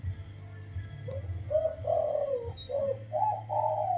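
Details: Soft cooing from a spotted dove, wild-caught and caged for 16 days, in the single-kuk throw style: a short, quiet run of mellow, slightly rising and falling hoots over a low background hum.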